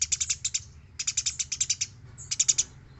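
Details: Active Eurasian tree sparrow song for training other birds: three quick clusters of sharp, high chirps, about ten notes per second, with brief pauses between groups over a faint low hum.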